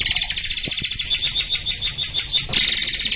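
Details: Murai air (white-crowned shama) singing for birdsong training: fast series of piercing high notes that briefly blur into a louder, denser burst before the rapid notes resume.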